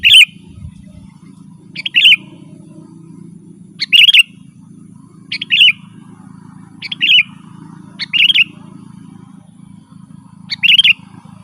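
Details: Sooty-headed bulbul in energetic gacor and rolling ngeroll style, sound meant to draw wild birds in the forest: short sweet bubbly phrases repeated about every one to two seconds above a constant low droning hum.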